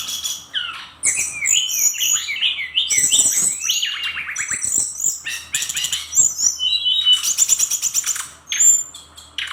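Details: Brown-chested jungle flycatcher, Bali 'gacor' singer, pouring out fast varied phrases: stepped whistles, trilled rattles, chattering bursts and high squeaky notes, almost without pause over nine seconds.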